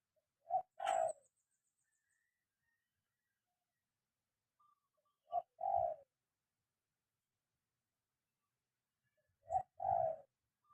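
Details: Spotted dove trained to call on the ground repeats a low two-note coo three times, roughly every four to five seconds, each a short hoot then a longer one, with faint background tones.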